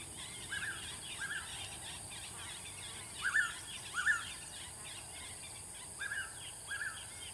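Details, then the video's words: Blue-winged pitta giving repeated short two-part whistled calls, the louder pair in mid-clip and softer ones before and after, with faint chirps of other birds and a constant high background hiss. "Suara Burung Paok Sayap Biru"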